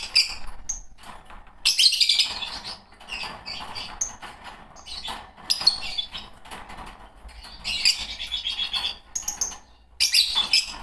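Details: Two green Fischer's lovebirds chattering, shrill grating bursts recurring every couple of seconds, with thin high tweets scattered between them.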